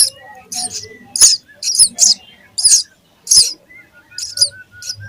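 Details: Hungry sparrow chicks in a nest call loudly while being fed: piercing, buzzy squeaks in clusters with short pauses, and faint whistles in the background.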